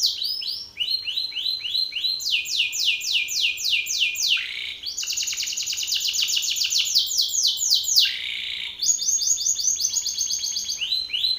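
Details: Belgian canary male singing loudly and aggressively at another male: fast rolling trills of repeated downward-sweeping high notes, switching between several trill types, with brief buzzy passages, continuous and loud throughout.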